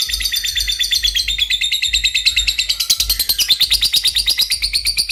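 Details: Lovebird, praised as a fine, very vocal singer, delivering a fast continuous run of sharp high chirps, steadily repeated and rising slightly, with a low hum underneath.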